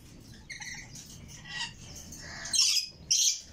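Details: Red lory chicks: soft raspy chatter building to two louder, harsh hissing squawks at the close.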